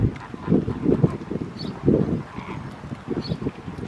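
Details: Pink-backed pelicans in a colony at Réserve Africaine de Sigean, giving low, grunting, pulsed calls in short bursts, about three louder bouts in four seconds, over steady wind noise.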